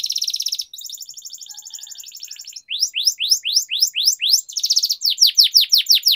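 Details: Domestic canary singing as a training song with long rolling trills, used to prompt stuck canaries: a fast buzzy trill, then a drier rattling trill, then rising swept whistles about two per second and another brief trill.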